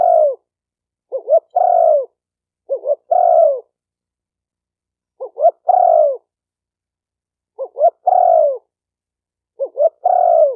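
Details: Spotted dove repeating its cooing phrase six times over ten seconds. Each phrase is a quick pair of hoots and then a drawn-out falling coo. The call is for training a new bird, with clean silence between phrases.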